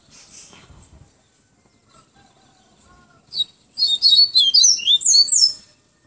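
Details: Yellow-bellied seedeater singing the fluted 'tui tui viviti' style near Salvador, Bahia: a brisk burst of high, sweet whistled notes rising and falling, about four per second, preceded by soft scattered chirps.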